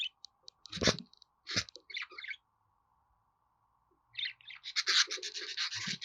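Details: Budgerigar with rough, scratchy warbling and clicks in two spells separated by a quiet gap, the later stretch dense and continuous.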